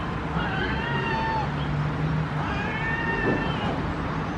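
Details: Two herring gulls, one still juvenile, in Pearson Park, Hull, displaying pair formation; drawn-out, mewing, slightly rising and falling calls from the pair over heavy steady background rumble.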